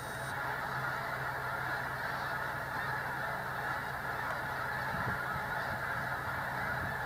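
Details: Massed honking of a very agitated Snow Goose flock at the Sacramento National Wildlife Refuge: countless nasal calls blend into a constant roaring wall of sound, steady in volume, backed by a low steady hum.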